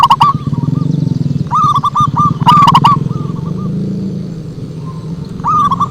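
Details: Zebra dove lure song, rolling bursts of clipped cooing notes with sharp clicks, partly set against a loud low engine-like drone that rises and fades.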